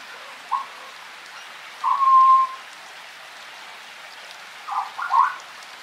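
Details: African grey parrot in the wild forest during rain: a few short whistled notes, one drawn-out steady whistle, and a pair of quick warbled notes near the end, over a constant hiss of rainfall.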